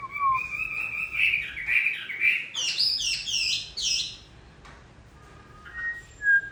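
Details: A hwamei finishing its moult sings in the rain: a low whistle, rising warbles climbing into high bright notes, then a quiet gap and a few scattered whistles.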